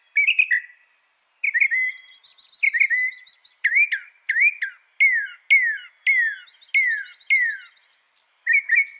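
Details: Mockingbird (Northern mockingbird) singing: a run of loud, downward-slurred whistled notes, each type repeated several times at roughly one per second, then changing to a rising variant, steady faint high whine behind.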